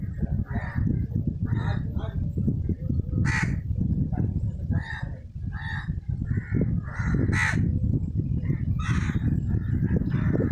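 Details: Feeding crow with a squirrel nearby, giving rough, raspy caws spaced irregularly across ten seconds, about a dozen short calls, some sharper and louder, against constant deep rumbling noise.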